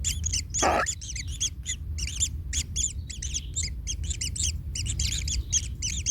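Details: Nestling kingfishers, a chick pained after being trodden on by its parent: an early harsh scratchy squeal, then continuous quick high double chirps from several young, with low background rumble.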